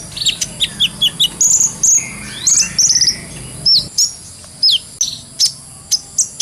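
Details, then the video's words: Brown-throated sunbird singing full ngobra for use as masteran; a quick series of high ticking notes, then short whistled slurs and falling chirps, ending in evenly spaced single sharp calls. "MASTERAN KOLIBRI NINJA (KONIN) SANGAT COCOK BUAT ISIAN FULL NGOBRA,GACOR,SUARA JERNIH"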